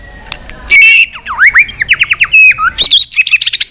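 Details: White-rumped shama singing with many voices in a fighting display: loud, fast sequences of looping swept whistles and chattering notes, ending in quick high trills.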